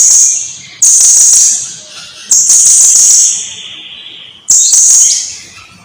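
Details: From a long recording meant to teach birds to sing, a blue-crowned hanging parrot gives repeated bursts of thin, high buzzy trilling. The bursts start abruptly and fade away, with quieter thin notes in the pauses.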